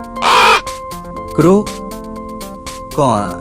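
Three harsh, grating caws spaced about a second apart, each a hoarse burst, over steady background music.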